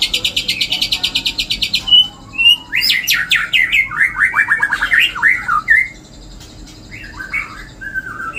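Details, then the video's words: Song of a white-rumped shama filled with imitated phrases of cililin, jenggot and kapas tembak. A rapid high pulsed trill opens, followed by varied whistled swoops and slurred descending notes, ending with scattered softer phrases. "MURAI MATERI MEWAH ISIAN CILILIN NYAMBUNG JENGGOT NYAMBUNG KAPAS TEMBAK"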